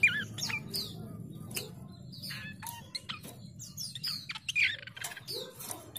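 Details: A chestnut-capped babbler (Timalia pileata) lure call, used to draw in rival birds, gives quick bursts of chattering notes and high, sweeping whistles in rapid succession over a soft low hum.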